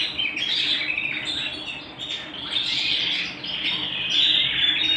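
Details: Canary singing at home with a jumbled warbling run of high chirps and twittering notes, fairly continuous and growing louder toward the end.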